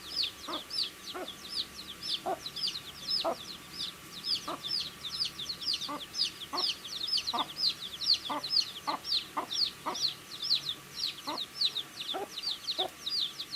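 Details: Many baby chicks eating food produce a dense, unbroken chorus of high thin chirps, joined by regular lower pecking knocks roughly every half second to second.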